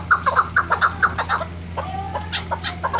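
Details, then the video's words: A female chukar used for hunting utters a quick run of loud clucks that fade into softer, scattered notes halfway through; constant low hum behind. "shikari chakor ka rukh keklik sesi chakor birds hunting sound dasi female madi"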